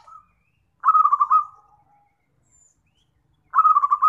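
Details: Zebra dove, a trapping lure recording: a brief soft coo, then a loud rolling trill of quick pulsed notes fading into a low trailing coo, with another loud trill starting after a silent pause.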